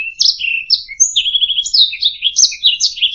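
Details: Canary singing for training other birds: sweeping chirps, a clear high whistle, then a fast even rattling trill followed by more twittering notes.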